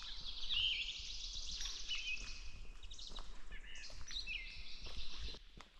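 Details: On a sunny, calm 12°C morning, 12 May, a Brown Thrasher sings unusually in swamp habitat on a farm in southern Ontario: a run of varied, chirpy high phrases in quick succession, over a steady low rumble.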